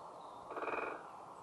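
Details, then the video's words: A great spotted woodpecker drumming on a tree in UEA woods: one quick drum roll, a burst of rapid hollow taps lasting about half a second, over a faint steady background hiss. "Great Spotted Woodpecker Drumming"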